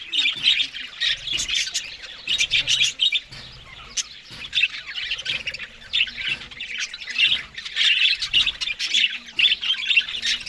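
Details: Morning feeding on green food by Australian budgerigars: bursts of grating squawks and quick chirps come in clusters separated by brief quieter gaps, many birds chattering together.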